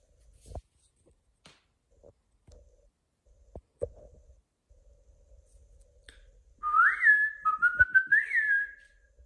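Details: A pet cockatiel (Nymphicus hollandicus) gives a short run of clear, warbling whistles that swoop up and down after some quiet taps.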